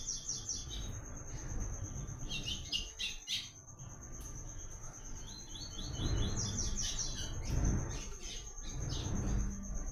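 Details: Seedeater (papa-capim, also called coleiro) singing the prized "Tui Tui" song style, used for song training in the caatinga: two bursts of rapid high chirps repeated in quick series, over low rumbling background noise and a steady high insect-like tone.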